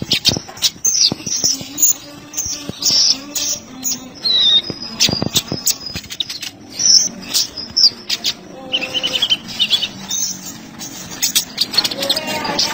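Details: Van Hasselt's sunbird (kolibri ninja) song for tutoring cage birds: a dense, busy stream of high twittering and sharp chirps, uneven bursts with brief pauses, over faint lower tones and a steady background hiss.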